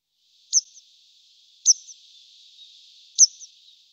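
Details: Grey wagtail (Motacilla cinerea), call.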